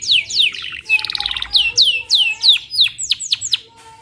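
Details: Canary singing a lively, varied song: rapid descending whistled sweeps repeated about three times a second, a buzzy rattling trill near the start, then sharp chirps, all loud and close with little background.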